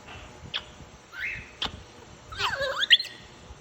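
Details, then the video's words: {'caption': 'Pet African grey parrot making cute sounds: soft clicks and short rising whistled notes, then a burst of warbling, wavering chatter ending in a sharp high squeak.'} "African grey parrot making cute sounds"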